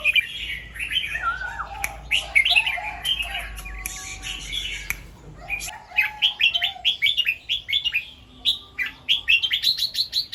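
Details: Morning song of a red-whiskered bulbul in the 'double 2-3' and 'rik' style: varied warbling whistled phrases, then a long run of short, sharp, rising chirped notes repeated rapidly, with a fainter low hum underneath.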